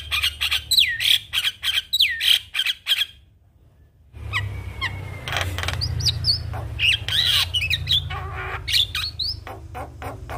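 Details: Energetic Javan myna song full of varied fill-ins: harsh squawks mixed with looping whistled notes, a short silence, then scratchy chatter, slurred whistles and clicks continuing over a constant low background rumble.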